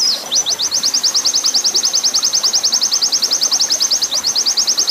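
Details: Oriental white-eye master song in the long 'nembak panjang' style, mixed with water sound and used to train caged birds to sing. A rapid, even series of high, thin, down-slurred notes, about eight per second, runs steadily over a soft, rushing hiss.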